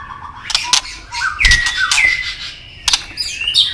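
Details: Tail-clicking white-rumped shama in fighting song to excite a rival: a short stretch of slurred whistles and rising notes mixed with loud sharp clicks and some background noise.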